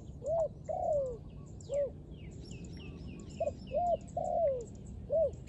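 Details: Dove cooing in repeated phrases: short arched hoots and a longer drawn-out note that slides downward, grouped in two bursts with brief pauses; faint high chirps from other birds in the background.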